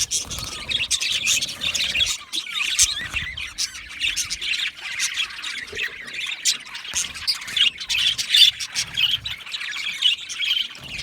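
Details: Budgies, Australian parakeets, giving constant high chirps and squawky chatter, many birds overlapping in a lively, unbroken flock babble with frequent sharp short notes.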